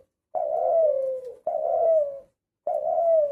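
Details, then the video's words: Hunter spotted dove cooing: three long, smooth, gently descending coos, evenly spaced about one per second, with nothing else audible in a quiet small room. "শিকারি ঘুঘু পাখির ডাক। Shikari tila Gogo pakhi dak"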